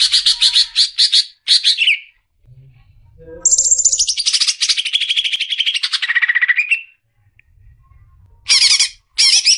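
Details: Champion-contender greater green leafbird in a tutor recording: clusters of rapid high notes, then a long pulsing trill gliding gradually downward, ending with two short bursts of quick repeated notes.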